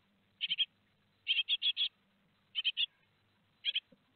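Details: Raspy, hissing chirps from great tit nestlings at Théding on 15 July 2020, two days before fledging, delivered in bursts of three or four notes with short silent gaps.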